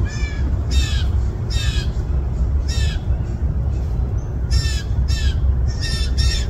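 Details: Fledgling blue jays, at least two, calling hungrily in a yard, 20 June 2024: rasping downward-sweeping squawks in short bursts with gaps, some paired, backed by low steady background roar.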